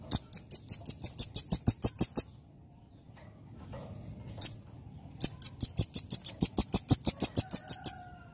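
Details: Velvet-fronted nuthatch, known as rambatan, in vigorous nembak-style song: two long rapid trains of sharp, very high, machine-gun-like notes, each over two seconds, separated by a brief quiet gap with one lone tick.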